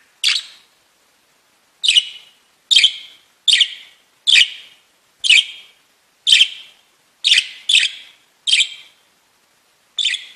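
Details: Pet budgerigars singing and tweeting: short bright chirps repeated at uneven intervals, about one a second, with silence between them.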